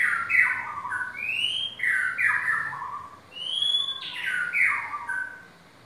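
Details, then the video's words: Caged white-rumped shama, offered for sale as a champion bird, singing loud varied phrases: warbled notes around mid pitch mixed with clear rising whistles, delivered in bursts with short pauses, in a quiet indoor setting. "murai Batu juara"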